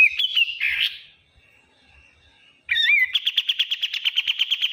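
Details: Kapas tembak bulbul calling noisily: a short burst of buzzy chatter fades into a quiet pause, then a quick rising note leads into a brisk, even rattle of repeated sharp high pulses.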